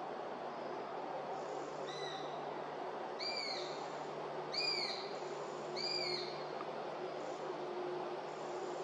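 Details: A young Eurasian sparrowhawk gives begging calls, thin, high, drawn-out squeals that slur downward, repeated about every second over a steady rushing hiss; recorded at Beemdkant, Wijnegem, on 11 August 2021.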